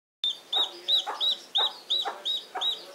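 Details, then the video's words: A seven-day-old chick peeping steadily: high, thin arched peeps repeated about three times a second, each with a soft click-like rustle underneath. "the chick peeping - 7 days old"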